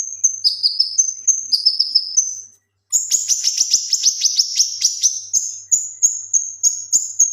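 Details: Male kinoi leafbird in full song as tutor material for other birds: high whistles alternating with slurred downward notes, a short gap, then a long, rich, rapidly pulsed buzzy trill before high whistles return.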